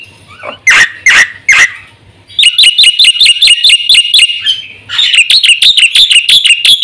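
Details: Black-winged myna song meant to lure and train caged birds: three loud, harsh, explosive notes, then a quick rattling sequence of bright chirps, a short gap, and another fast chirping run.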